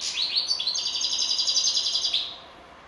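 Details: Goldfinch song opening with a few sweeping chirps, then a steady, rapid tinkling trill that holds for over a second before ending and leaving quiet.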